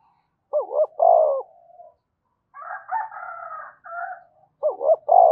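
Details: Spotted dove from Đồng Nai calling to excite doves: deep wavering double coo with a drawn-out hollow ending, a rougher rolling throaty phrase, then another loud wavering coo.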